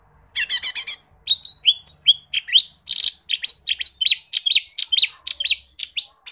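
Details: Lesser green leafbird, bold and loaded with mimicked phrases, opening with a fast grating rattle, then a long lively string of swooping whistles and chirps that rise and fall in quick succession.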